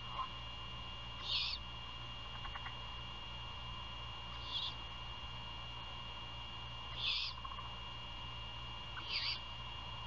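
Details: At 1:38 AM on 27 February 2022, great horned owls at a nest near Savannah, Georgia, hand over prey and feed. Four hoarse, breathy screeches come roughly three seconds apart against a constant low hum.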